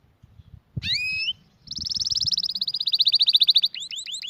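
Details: Canary song for training other canaries: a short whistled phrase after faint low thumps, then a fast buzzy trill of tightly repeated notes lasting two seconds, ending in quick rising chirps.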